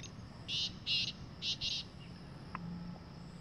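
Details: Wild black francolin calling in jungle: a harsh, grating phrase of four buzzy notes, two spaced then two close together, over faint low background hum.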